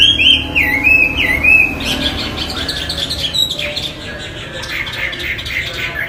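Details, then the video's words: Chinese hwamei, a cage bird, giving strong whistled notes that loop downward then level, followed by softer jumbled chattering phrases and a faint background hum. "Hwamey Wambi gacor isian istimewa"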